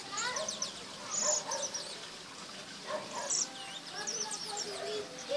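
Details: Saffron finch singing wild-type song in an orange tree: bright, chirpy high notes and short trills that tumble over one another, with several birds overlapping and faint background voices.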